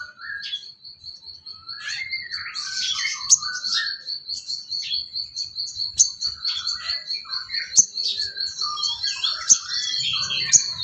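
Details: Training song of a sooty-headed bulbul for other songbirds: a steady high trill runs throughout beneath varied chirps, slurred whistles and sharp clicks repeated every second or so.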